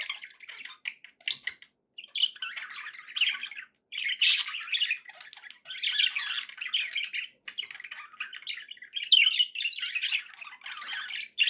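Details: Several pet budgies warbling nonstop: rapid, raspy chatter mixed with squeaky chirps and clicks, in overlapping phrases with a couple of short pauses and one louder burst near the middle.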